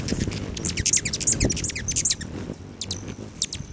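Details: Several hummingbirds visiting feeders on a west-facing lodge patio just outside Great Sand Dunes National Park, Colorado, July 29, 9:14 AM; rapid bursts of squeaky high-pitched chips, some doubled, with a faint high whine and soft low noise.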